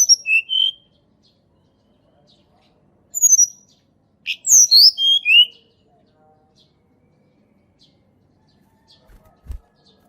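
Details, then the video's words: Sunda robin wild song used as a lure for lazy singers; several short phrases of high descending whistles and lower notes, separated by silence, with a soft knock near the end. "TLEDEKAN GUNUNG SUARA ASLI ALAM \\ COCOK UNTUK PANCINGAN TLEDEKAN MALAS BUNYI"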